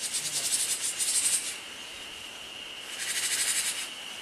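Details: Jar-jar snake alarm of the Japanese tit, broadcast from a speaker during an experiment without any snake. Two harsh, hissing, buzzy bursts, each over a second long, come over a constant tonal hum.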